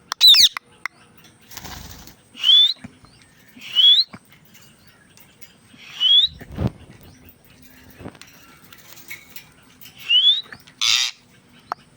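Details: Indian ringneck parrot producing high, rising chirps about every one to two seconds, with soft rustling and a few clicks between them.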